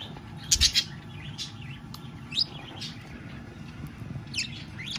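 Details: Male budgerigar, newly paired and caged with a female in breeding condition, courting her after feeding her with kissing sounds. Short bursts of high, scratchy chirps come near the start, mid-clip and toward the end, over a low steady background hum.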